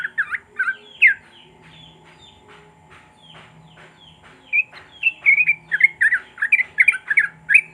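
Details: Sooty-headed bulbul singing to stir silent bulbuls into song: a few bubbly notes, a quieter stretch of soft downslurred chips, then a dense, fast burst of bright chattering notes, over a faint steady hum.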